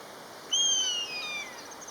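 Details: Pair of common buzzards calling to each other; a loud piercing whistle that starts high and slowly slides downward, trailing off over about a second, over quiet steady background hiss.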